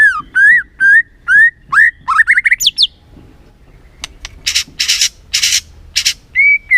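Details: White-rumped shama, lure song for exciting the bird: repeated upslurred whistles building to a quick rising trill, then harsh buzzy rasping bursts and a final clear whistle.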